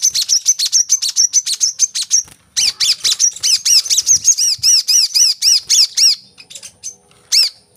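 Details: Brown-throated sunbird (kolibri kelapa) for prompting captive birds to sing: a quick stream of high twittering notes, then a string of loud, arched chirps repeated about three per second.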